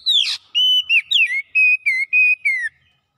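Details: Oriental magpie-robin in energetic gacor song: an opening raspy upward note, then a string of about eight clear whistles, some level, some dipping or falling, each roughly a quarter-second long, in a quiet setting.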